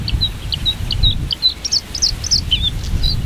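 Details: White-spotted bluethroat (Luscinia svecia cyanecula) singing from giant hogweed at Ezumakeeg, a breeding area in the Frisian part of Lauwersmeer: quick varied high notes, short whistles, clicks and buzzy trills in a rapid flow, over steady low wind rumble.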